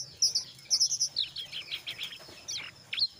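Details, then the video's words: Gacor brown jongkangan in ngeriwik song mixed with ngeplong, used as a lure so other jongkangan join in; bright clipped whistles followed by rapid descending chattering notes. "SUARA BURUNG JONGKANGAN COKLAT NGERIWIK GACOR"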